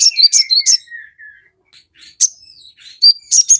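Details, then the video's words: Crested jay song meant to stir caged crested jays into answering. Quick high chirps over a descending whistled line, then scattered softer notes and a rising whistle. A fresh burst of sharp notes follows. "sogon GACOR FULL KICAU, Pancingan sogon JADIKAN burung cepat bunyi langsung nyaut ngamuk"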